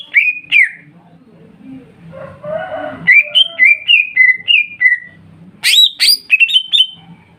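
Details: Greater green leafbird lure song, played to make other leafbirds sing: loud whistles, a brief noisy patch, then an even series of descending whistled notes and a closing flurry of sharp high notes.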